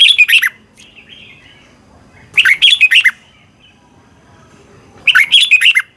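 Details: Red-whiskered bulbul from Thailand delivering three bright, fast warbled phrases, each a run of short slurred whistled notes lasting under a second, spaced roughly two and a half seconds apart, with near silence between.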